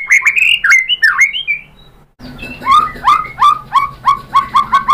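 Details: White-rumped shama song meant to stir other birds to answer: varied loud whistled phrases with slurred and falling notes, a short pause, then a steady run of downward-sweeping whistles with a low hum behind.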